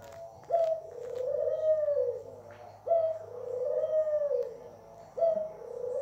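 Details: A pet Barbary dove sings three low, rolling coos in steady succession, each with a brief rising start and a drawn-out, vibrating purr, spaced about two and a half seconds apart.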